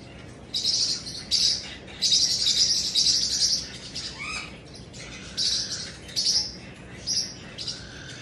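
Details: Caged pet cockatoo letting out loud, grating screeches in clustered bursts, a few longer rasping blasts followed by shorter spaced squawks and one brief rising note, over a low steady indoor hum.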